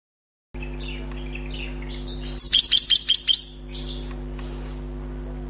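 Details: Newly caught wild European goldfinch singing without faults: soft scattered twitters, then about a second of loud, rapid, tinkling high notes, with a steady low electrical hum throughout.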